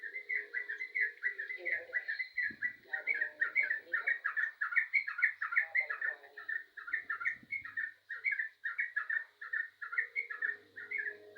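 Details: Yellow-vented bulbul singing very actively: rapid, bubbly chattering phrases of short warbled notes, run almost without pause, over a steady high-pitched whine in the background.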